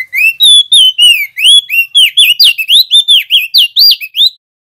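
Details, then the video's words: A male crested darkeye in full rolling 'ngeroll' song, used as tutor material for songbirds: a long, rapid chain of loud whistled notes, arching and sliding in pitch, roughly three per second, stopping after four seconds. "OPIOR JAMBUL GACOR Tipe NGEROLL Nembak"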